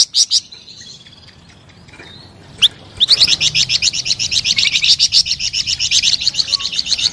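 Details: Flamboyan bird singing: a few short chirps and a single sharp note, then a rapid, sustained trill of high chattering notes repeated about four times a second.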